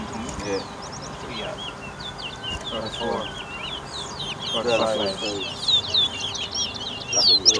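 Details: Chestnut-bellied seed finch (towa towa) in a 2023 bird singing race between two birds at a bird ground on Lamaha Street, Georgetown, Guyana; rapid, varied high whistled notes and slurs tumble continuously over people talking in the background.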